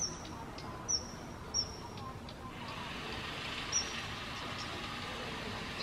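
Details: Daurian redstart, first of the season seen 22 October 2022 in front of a house from a balcony in Japan, giving thin, high whistled 'hit' notes, three spaced over a few seconds, over a steady wash of traffic-like background noise.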